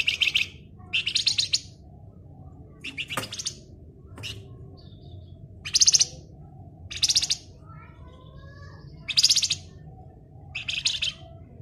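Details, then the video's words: Flamboyan bird singing in the ngebren style: six short, dense buzzy trilled bursts spaced about 1–2 seconds apart, with faint whistles between them and a low steady hum underneath. "Raja Ngebren Burung Flamboyan Gacor"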